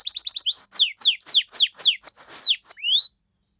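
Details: Canary performing ornate 'cengkok mewah' song to draw responses from other canaries: a quick burst of short notes, then a series of loud descending whistled slurs, ending on one rising whistle before silence.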